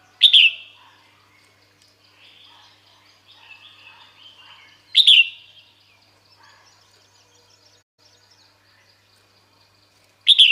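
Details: Red-whiskered bulbul female calling for males to come: three loud, sharp descending notes spaced roughly five seconds apart, with quieter warbling and twittering fragments in between, otherwise a quiet background.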